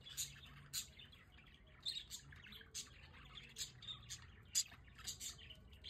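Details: Pet budgerigars sit out on a balcony in The Hague in fine weather, chattering with quick, bright, high chirps and brief warbled notes in irregular bursts, against a soft low hum.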